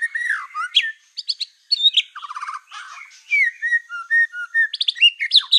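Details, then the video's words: White-rumped shama of the black-tailed form, song meant to make other shamas agitated: rich varied whistles, dropping slurs, buzzy rattles and clear repeated notes in quick succession. "PANCINGAN MURAI BATU EKOR HITAM GACOR, SEKALI DENGAR AMPUH BIKIN MURAI APAPUN LANGSUNG EMOSI"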